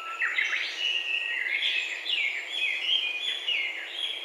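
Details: A Chinese hwamei at a Japanese bird-survey site sings a loud, rich run of varied whistled phrases that rise and fall without pause, with brown-eared bulbuls calling nearby and faint background noise.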